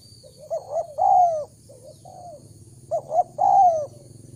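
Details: Spotted dove lure call for drawing in wild doves: two phrases, each of short soft coos building to a loud, long, drawn-out descending coo, separated by a pause of about a second and a half. Quiet background.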